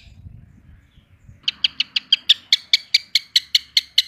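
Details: Long-tailed shrike 'roll tembak' song: after a second of low rumbling noise, a steady series of short, bright, sharp notes repeated a little over twice per second until the end.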